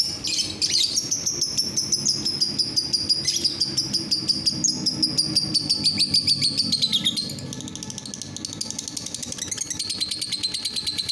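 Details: Lovebird, a patriot lovebird, in lively gacor ngekek ngetik singing: a long, unbroken, high, shrill chatter made of fast ticking pulses, about three per second, held at a steady pitch with short dips and breaks, with faint low background hum.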